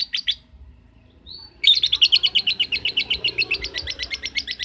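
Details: A lovebird gives a few sharp chirps and a short thin whistle, then launches into a rapid rattling ngekek trill of loud high pulses lasting about three seconds.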